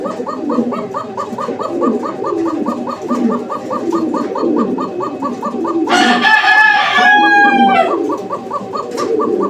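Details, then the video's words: A pair of fancy domestic pigeons at a loft in Uttara, Dhaka, 11 May 2025, give low throaty coos among repeated clicking pulses; a rooster's loud harmonic crow cuts in midway. "আর কবুতরের জোড়াটির ডাক আপনারা দেখতে পাচ্ছেন অসাধারণ একটা ডাকের কবুতর।"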